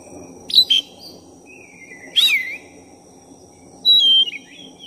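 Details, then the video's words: Black-chested oriental magpie-robin singing steadily as a provoking lure for another magpie-robin: a sharp double note, then a descending slurred whistle, then a long level whistle, each separated by quiet gaps, over faint background noise. "Pancingan suara kacer dada hitam gacor efektif buat menaikkan emosi Kacer"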